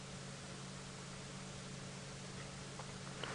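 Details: Only a steady broadband hiss with a low mechanical hum and a few faint rustles is heard; no animal calls.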